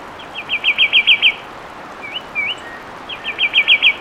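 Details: Loud fulvous wren song: a quick rattling trill of bright notes, two separate slurred whistles, then a second fast trill, all fluid and high-pitched against faint background hiss.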